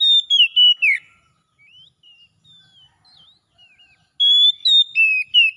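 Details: Magpie-robin, Oriental, singing wild-style 'ngalas' to restore a bird that stopped singing: a loud whistled phrase fades into thin, scattered chirps and slurs, then another bright burst of ringing whistles starts near the end.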